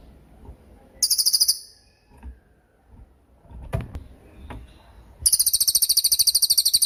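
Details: Cililin sound used as training material for songbirds, young and moulting birds: a brief shrill pulsed trill, a gap with soft knocks and rustles, then a longer, very high, rapid trill to the end.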